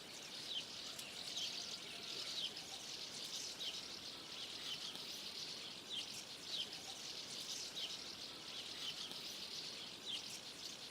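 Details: A flock of common house martins calling together before taking flight: busy chatter of high, short chirps that rise and fall in loose bursts every second or so, with steady outdoor hiss behind.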